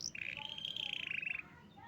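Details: Canary in Indonesia holding a single buzzy, slightly rising trilled note for over a second, faint and fairly quiet.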